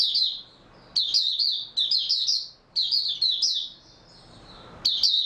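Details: Oriental white-eye, said to have slept well the day before, recorded 03/03/2022, singing in short bursts of rapid, high, thin twittering notes, each burst under a second long, separated by brief pauses, over a quiet background.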